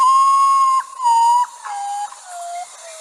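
Common Potoo: a mournful series of pure whistles, a long first note then shorter ones stepping down in pitch over three seconds.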